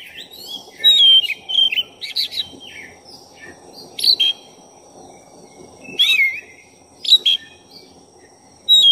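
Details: Continuous song of a black-chested oriental magpie-robin, played to provoke and excite other birds of its kind: varied clear whistles, quick chirps and slurred notes in loud bursts separated by short pauses, steady background hiss throughout.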